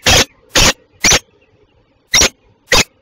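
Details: Peregrine falcon, a Belgian female, at Tilburg Westpoint on 27 June 2024 at 08:08; five loud, harsh, rasping bursts about half a second apart, with a short pause before the last two, over quiet background.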